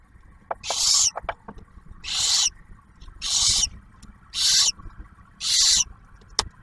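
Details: Barn owls nesting near Oak Harbor, Ohio, Ottawa National Wildlife Refuge, 2023; male delivers prey and female shares a meal with the first owlet. Five rasping hissing screeches, evenly spaced about every 1.2 seconds, with soft ticks and scrapes between.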